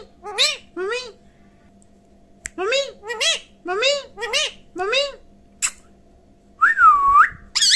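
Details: Talking parrot mimicking speech, said to repeat 'mitthu mitthu': short, arched, nasal two-syllable utterances in quick groups, then a loud, clear rising-and-falling whistle near the end, recorded indoors.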